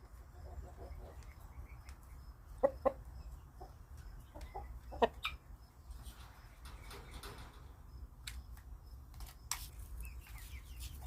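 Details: A happy guineafowl gives scattered harsh, clipped calls, a few bunched close together, over a low rumbling background with some clicks and knocks.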